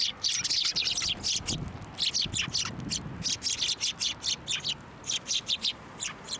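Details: Several sparrows chatter in dense, rapid high chirps and tweets, ending in a run of evenly spaced chirps. They are coming to a hand for food at a Tenmangu shrine, recorded 21 December 2023.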